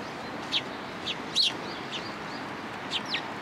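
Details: Sparrows coming to a bench to be fed at a Tenmangu shrine on 15 November 2022: short, high chirps at irregular intervals, about six in three and a half seconds, over a steady background hiss.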